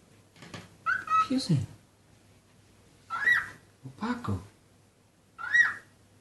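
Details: Five-month-old pet cockatiel, playing, whistling and saying his first words, gives short bursts of bright, slurred whistles with chattering notes, repeated every couple of seconds.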